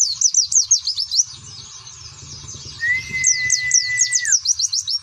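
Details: White-eye song in the rapid 'nembak' (shooting) style: fast, high, sharply bending chirps in quick bursts at the start and end, a pause between, one long steady mid-pitched whistle near the end, and a low hum underneath.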